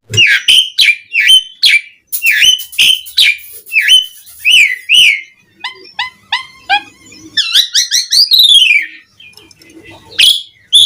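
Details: Asian pied starling singing to draw replies from other starlings: sharp downslurred whistles and squeaks, then a cluster of short, clear piping notes and a fast chattering sequence.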